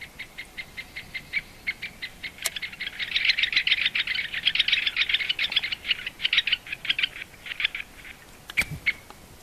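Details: Great spotted woodpecker: a fast run of sharp, high ticking notes, sparse at first, then crowding into a dense chattering burst mid-clip before thinning out again, with a couple of sharp clicks standing apart.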